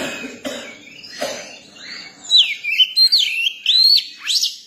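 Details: Young Oriental magpie-robin singing: after a few soft clicks and rustles, a run of loud, clear whistled notes sweeps up and down in quick succession over the last two seconds.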